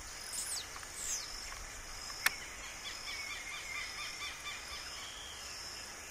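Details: Blue-black grassquit singing in the wild: high, thin, buzzy slurred notes, a few in six seconds, over steady background hiss with a single sharp click.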